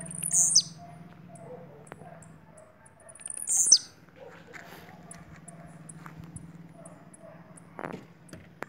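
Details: Bahian blue-black grassquit giving two sharp, high-pitched buzzy notes about three seconds apart, then quieter background with faint scattered clicks and a low hum.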